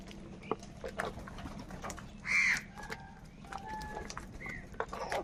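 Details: Crows in a large gathering, described as fighting for food, with one loud harsh caw standing out in the middle over fainter calls and background clicks and noise.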